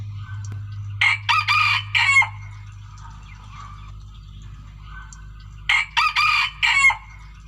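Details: Lure chicken crowing twice, about five seconds apart. Each crow is a quick run of three or four harsh, broken syllables, with faint chirps in between over a low background hum.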